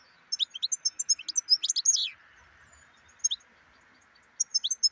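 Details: Black-headed goldfinch song. It opens with about two seconds of rapid, bright, chattering twitters ending in a slurred buzzy note. A quiet gap follows, then short scattered chirps, with a soft constant hum in the background.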